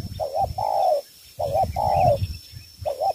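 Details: Spotted dove from Cà Mau, Vietnam, cooing in the three-note 'thổ 3 âm' style, used to win over wild field doves: mellow low hoots, a short double note then a longer falling coo, repeated; steady faint background hum.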